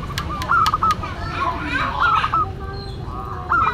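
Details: Zebra dove of local stock singing a classic, distinctive song: clear stepped cooing phrases recurring every second or two, with sharp taps at the start and low background rumble.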